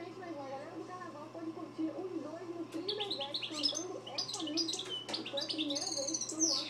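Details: A European goldfinch (jilguero, parva) sings a bright, tinkling twitter of quick, varied high notes over a low murmur.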